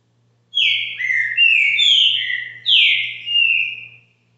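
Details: Green-winged saltator at a subscriber's home delivering its caxinguelo bitola song: a continuous string of loud, full whistles, some falling, some level, rising to a strong downslurred note and ending on a long steady tone.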